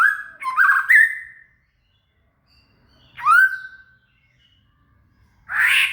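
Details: Shama (murai) song used as material for training a cililin: loud whistled phrases with rising slurs and fast sweeps, delivered in bursts about every two to three seconds, separated by silence.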